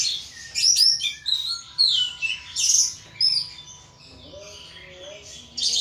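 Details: Ngeplong singing from a caged pet thrush, made of loud, clear whistled phrases broken by brief gaps. Later phrases turn softer, with lower warbling notes.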